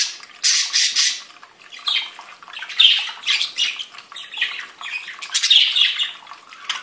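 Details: Different budgerigars chattering together: bright, scratchy squawks and buzzy warbled notes in irregular bursts, louder phrases rising out of a steady background twitter.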